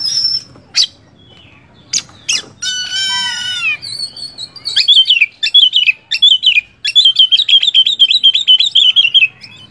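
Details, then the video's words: Oriental magpie-robin (kacer) song for coaxing a quiet caged bird back into song: a harsh rasping squawk and scattered notes, then a long run of rapid, evenly repeated whistled chips, with a low background hum throughout. "ampuh membongkar burung kacer macet"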